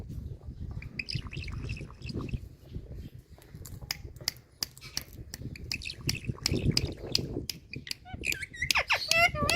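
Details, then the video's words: Indian parrot, a pet kept indoors, imitating water drop sounds: a string of sharp, irregular clicks and pops, several per second, ending in a burst of harsh, rapid squawking chatter. "Indian Parrot Tiger Calling Water Drops💧Sounds"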